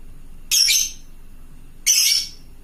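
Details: Fighter lovebird calling to companions: two separate harsh, high-pitched squawks about a second and a half apart, with quiet between.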